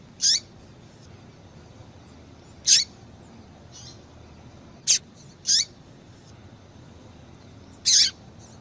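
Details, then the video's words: Female Double-collared Seedeater calling repeatedly, used to stimulate males to sing; five quick high chirps, each a bright burst with a dropping lower trace, spaced two to three seconds apart, plus faint softer notes between. "Fêmea de Papa capim Chamando Muito"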